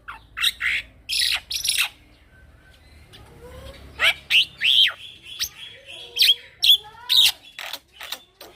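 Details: Rolling 'ngeroll' song of a young male black-winged myna, recorded to tutor other birds: harsh scratchy bursts, a quiet pause, then a fast string of clear whistles mixed with grating notes.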